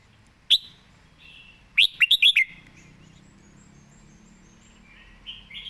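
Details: Red-whiskered bulbul singing casually with good phrasing: a single sharp note, then a quick run of five bright whistles, followed by soft, faint warbling.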